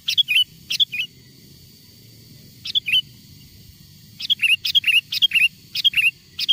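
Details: Lure song of a wild sooty-headed bulbul, played so wild bulbuls respond and come near: a lively series of short clear phrases, each a sharp note followed by a bubbling downward twist, sparse at first then rapidly repeated near the end.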